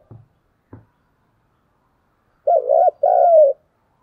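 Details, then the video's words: Fight-provoking coo of a spotted dove kept as a decoy bird in Vietnam: two soft taps at the start, a pause, then two mellow coo notes, the first wavering, the second longer and falling. "cu gáy thúc đấu & cu gáy thúc gù"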